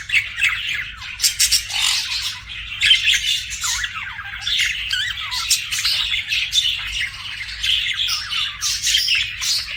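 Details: Budgerigars kept as pets giving nonstop warbling chatter, rapid scratchy chirps and short rising squeaks overlapping throughout, with a soft low hum in the background.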